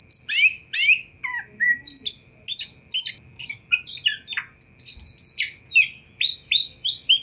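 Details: Oriental magpie-robin, a kacer, singing to provoke a response from other magpie-robins: varied high chirps, sweeps and buzzy notes in quick bursts, with a steady faint hum underneath.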